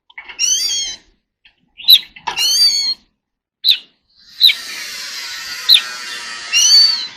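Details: Oriental magpie-robin singing in contest: several harsh, raspy bursts and sharp clicks, then a few thin whistles against a hissing background.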